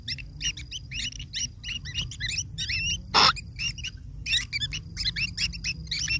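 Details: Insistent begging from long-tailed shrike chicks as a parent feeds them: dense clusters of scratchy, twisting chirps, broken by one sharp knock midway.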